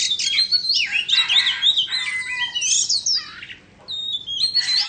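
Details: Owned white-rumped shama of Indonesian stock singing during a tail-fanning dance display. Loud, varied phrases mix sweet swooping whistles with harsh, squawky rasps, broken by a short silence before a final burst of high notes.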